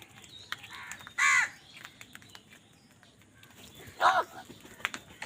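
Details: Two separate harsh, rasping caws about three seconds apart from crows fighting for food, with faint clicks and soft noise in between.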